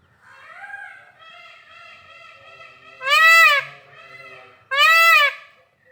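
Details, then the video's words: Peacock giving two loud, nasal, wailing calls, each about half a second long and rising then falling in pitch, after a run of softer, drawn-out honking notes. "Peacock sounds"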